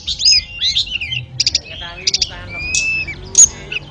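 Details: Ashy tailorbird master song for canaries and magpie-robins: scattered high chirps, a few short rapid stutters, and a long, clear whistled note that falls slightly, with quiet spells between phrases.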